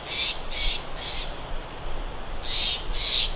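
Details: Bald eagle heard through a live camera at its Big Bear nest: three quick high piping notes, a short pause, then two more, each note harsh and clipped.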